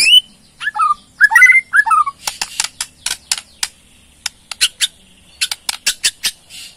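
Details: Borneo white-rumped shama: a few warbled whistled notes at first, then a long irregular series of dry sharp clicks forming its rattling ketrekan call, meant to prompt a response.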